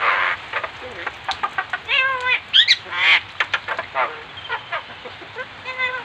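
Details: Bali myna singing energetically while mimicking other birds: a busy run of harsh nasal, honking and quacking-like calls with wavering harmonic notes, short sharp clicks between phrases, delivered rapidly throughout.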